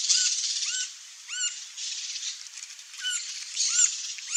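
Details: Green-barred woodpecker (Colaptes melanochloros) calling: short, squeaky upslurred notes with an arched shape, given irregularly about five times in four seconds, over a steady high hiss of insects.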